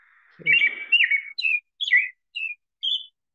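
American Robin caroling six short, slurred whistled phrases, rising and falling, about two per second, with a brief murmur of voice at the start.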